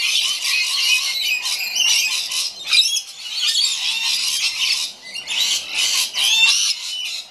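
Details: Rainbow lorikeets calling together, dense harsh high screeching and chattering squawks overlapping almost continuously, with brief gaps and a few sharper shrieks rising above the chorus.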